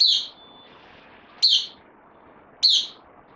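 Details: Newly arrived bulbul on loan, a kept bird, 12 September 2020, uttering three loud, separate high chirps, each a short downward slur, roughly a second or more apart, with silence between.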